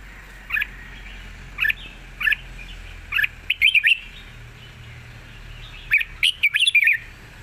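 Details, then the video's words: Red-whiskered bulbul kept in a cage, praised for singing easily with long trilled songs, gives four spaced single chirps followed by rapid warbled clusters of liquid whistled notes. "ปากเบา+ร้องง่าย เพลงยาวมีริก"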